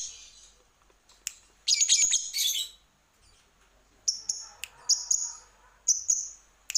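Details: Lovebird, from a lure recording to make birds sing: a grating high squawk burst, then a quiet gap, then a scatter of short sharp chirps and clicks.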